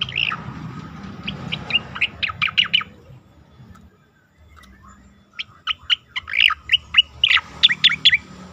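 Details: Asian pied starling singing, recorded as training material for competition songbirds: two bursts of rapid, sharp chirps and chattering notes separated by a brief quiet gap, over a steady low background rumble.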